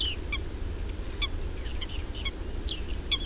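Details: Bearded reedlings feeding on reed seeds give short, bright metallic 'ping' notes, scattered irregularly about twice a second, over a steady low rumble of wind.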